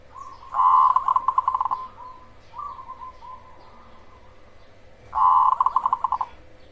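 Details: Loud black cemani zebra dove singing to provoke and lure other zebra doves: long, rich rattling coo phrases of many rapid pulsed notes, a shorter coo between, over a busier, hissy background with a steady hum.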